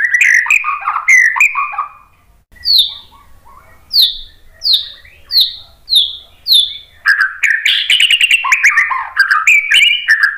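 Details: White-rumped shama song used as a lure to make other birds answer: varied whistled and chattering phrases, then a run of loud descending slurred notes repeated roughly every half second, followed by rapid warbling trills.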